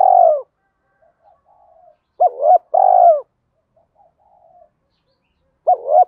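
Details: Spotted dove cooing in the 'thúc' and 'gáy gọi' styles, played to train newly caught and decoy doves to coo vigorously; a low, throaty, trilled coo followed by quick paired hoots, with a soft murmur between phrases.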